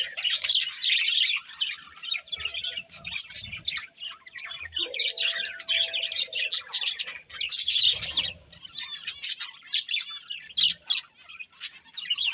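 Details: Pet budgies warbling and chirping nonstop, high and scratchy, with rapid trills and a brief faint whistle-like tone in the middle.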